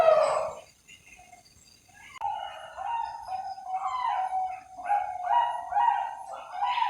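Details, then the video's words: Bangkok-type zebra dove (perkutut) from one of several breeders, bred for song contests; a loud opening coo, a pause, then rolling, throaty cooing notes run together without a break. "SUARA PERKUTUT BANGKOK"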